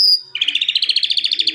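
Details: A kept calandra lark (Melanocorypha calandra) gives a brief high whistle, then a fast, even trill of bright, slightly buzzy notes, about thirteen per second, held steady at a high pitch.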